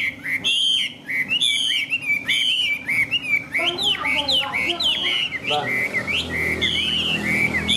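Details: Tame displaying Chinese hwamei singing loud ringing whistles repeated in quick groups, then a jumble of sharp descending slurs and chips midway, returning to clear repeated whistled notes, with a steady background hum.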